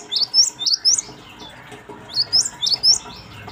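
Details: Lure song of the gelatik batu, or cinereous tit: sharp, high, swooping notes in quick runs of four to five, a brief gap, then another run, in a clean, quiet setting.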